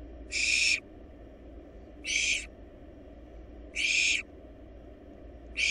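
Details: Barn owl nestlings, wild, in a nest box while feeding on a large rabbit: rough hissing screeches under half a second each, spaced roughly every 1.7 seconds.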